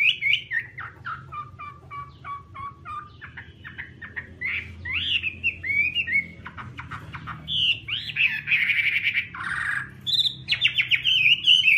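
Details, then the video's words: Chinese hwamei song of varied pieces: clipped clicking notes, falling whistles, scratchy bursts and a harsh buzz, building to louder sweet whistles near the end; constant low hum and some background noise. "Garrulax canorus/ Birds singing"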